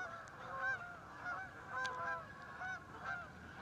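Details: Resident flock of Canada geese met while out scouting, giving overlapping nasal honks, several short upslurred notes in quick uneven bursts every half second or so, with a faint hiss of background noise.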